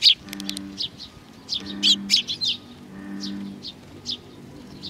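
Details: Flock of sparrows arriving to be fed at Tenmangu, Nakanoshima, 21 June 2020; soft high chirps scattered about half a minute apart in rhythm, with a low droning hum underneath.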